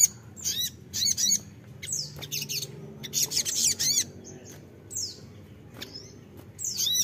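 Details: Crimson sunbird lure calls for untrained birds: scattered bursts of high, scratchy, arched notes and thin downward whistles, separated by short pauses.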